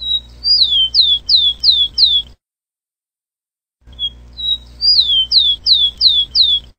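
Rufous-collared sparrow sings twice: a thin high whistle, then about five sweet down-slurred notes in quick, even succession, with a silent pause between phrases.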